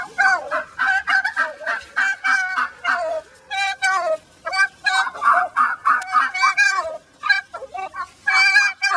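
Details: Agitated hen inside a backyard chicken pen, put back among flockmates that had attacked her, giving a nearly continuous stream of loud nasal, turkey-like squawks and cackles, some rising then falling.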